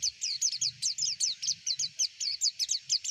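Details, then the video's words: White-eye known locally as pleci, singing in a lure recording for contest birds: an unbroken stream of high, sharp, downslurred chirps repeated about five times per second, with faint low rumbling beneath. "PANCINGAN PLECI AGAR CEPET BUKA PARUH"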